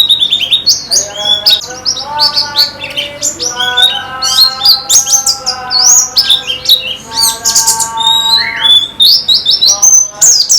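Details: White-eye (pleci) song from a training recording meant to make birds sing more: high, rapid twittered phrases sliding between notes, over steady low harmonic tones that run through much of the clip.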